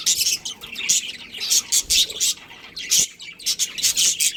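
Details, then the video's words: Budgerigar chirping from a breeding pair in a colony: irregular groups of loud scratchy high notes and softer warbled chatter between them. "Cute Budgies Chirping Sounds"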